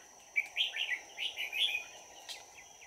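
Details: Trap decoy Red-whiskered bulbul, 22 December 2018. One rapid phrase of five or six bright, rolling whistled notes, then a short pause and a faint chirp, over a continuous high whine.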